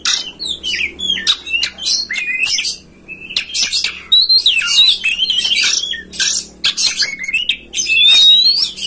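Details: Kacer (oriental magpie-robin) master song intended to lure a kept bird into tail-opening and singing; dense outpouring of scratchy buzzes, whistled slurs and clicking notes, with a clear rising whistle near the end.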